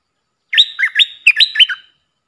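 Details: Lively puff-throated bulbul decoy phrase for teaching young birds: a loud chain of about seven liquid, rising-and-falling chirps delivered in under a second and a half, clear and close.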